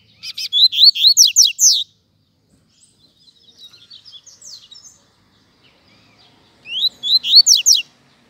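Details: Rusty-collared seedeater song: a rapid phrase of high, loud sweeping whistled notes, a quieter twittering passage, then another loud burst of rising slurred whistles.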